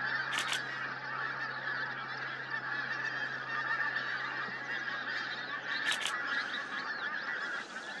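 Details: A large flock of pink-footed geese, recorded in 2023, gives a constant wall of overlapping honking and cackling calls. A few sharp, higher bursts cut through the chorus, with a low steady hum in the background.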